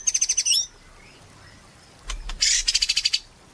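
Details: White-rumped shama singing persistently, as a lure to get other shamas singing: a rapid high rattling trill, a pause, then loud buzzy bursts running into another fast trill.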